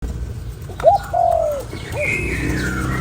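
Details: Spotted dove cooing to stimulate a lure bird: a short low note, then a longer drawn-out coo and a brief closing note, with higher whistled chirps of other birds and a steady background hum.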